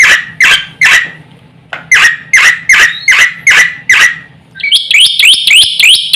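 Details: Black-winged myna in full song with varied fill-in phrases, used to provoke other mynas into calling: harsh squawks repeated about every half second, then a quick run of high whistled notes, over a steady low hum.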